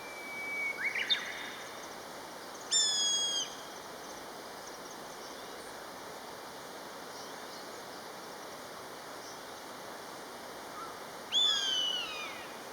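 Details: Common buzzards, a pair exchanging calls: a short quieter whistled note near the start, then two loud mewing, downward-slurred whistles roughly eight seconds apart, quiet hiss between them.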